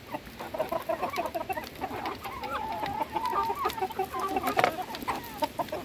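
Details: Feeding time for a flock of hens: continuous dense chatter of short clucks and murmured notes from many birds, with one sharp, louder cluck toward the end.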